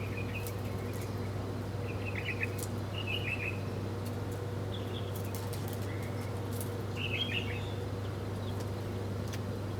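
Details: Birds eating food in the morning: short clusters of high chirps every second or two across ten seconds, mixed with sharp clicks and taps, over a low continuous hum.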